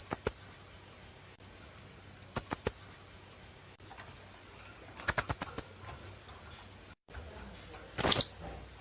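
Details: Philippine hanging parrot (kulasisi) lure call: short bursts of three to five thin, high squeaky notes and one single shrill note, spaced two to three seconds apart with quiet gaps.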